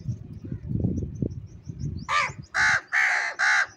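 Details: Crows fighting over food, eating cheese: after a stretch of low rumbling noise, a burst of loud, harsh caws, four strong hoarse calls in quick succession during the last half of the clip.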